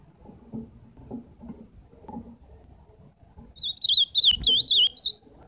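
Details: Ultramarine grosbeak song: after about three seconds of quiet low rumble, a quick warbled phrase of about six clear, looping, whistled notes at high pitch, each slurred up and down, ending abruptly.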